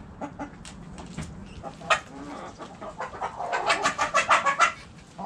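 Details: Backyard chickens, hens and roosters, heard as scattered low clucks that build into a quick run of loud, sharp, evenly spaced clucks near the end, with faint background noise throughout.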